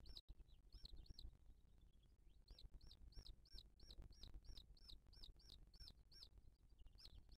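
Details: Booted eagle nest, 2023: the female feeds her chick while other birds attack her. Faint, high, hooked whistles come in a rhythmic run, with a brief pause early on, over low background rumble.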